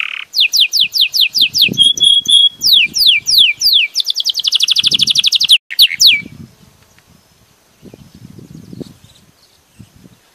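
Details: Belgian canary in full song: clear descending slurred notes, a few level whistles, then a fast dense trill and a closing buzzy phrase before the singing stops, leaving soft low rustling.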